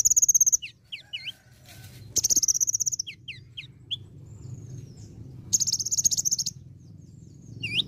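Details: Olive-backed sunbird in lively song with varied imitations of other birds: bursts of rapid, high buzzy trills about a second long, alternating with short upward-curving whistled notes and thin sweeps, over a low background hum.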